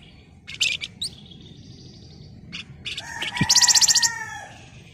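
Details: Flamboyan in lively song, used to provoke other birds: brief shrill trills, then a loud, very rapid stuttered trill of sharp high notes. A steady whistled tone runs beneath it, along with faint low hum.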